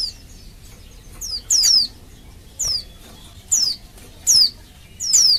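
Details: Oriental white-eye female calling males, meant to make them answer and sing: high, thin, descending whistles repeated roughly every second, several doubled into quick twin notes.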